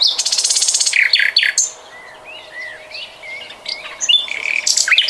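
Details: A common nightingale, recorded in 2020, opens with a fast, harsh rattle of broadband pulses, then sharp strokes. Softer slurred whistles follow, and a renewed rapid, buzzy pulsing closes the phrase.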